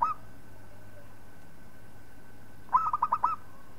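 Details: Local zebra dove, recorded as a singing tutor for other birds: the tail of one coo, a pause of over two seconds, then a quick phrase of about six rounded, bubbling notes; steady hum behind.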